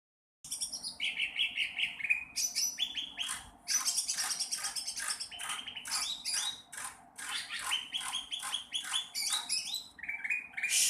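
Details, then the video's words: Young sooty-headed bulbul learning to sing: a steady run of scratchy, hissing bursts mixed with short, thin whistled notes, delivered in quick uneven phrases with brief pauses, no other sounds standing out. "cucak ranting trotol belajar bunyi"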